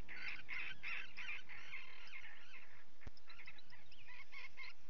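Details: Common guillemots at a breeding colony during chick feeding, late June 2020: loud, harsh, pulsing growls repeated in quick bursts, with faint high chick peeps and one sharp knock.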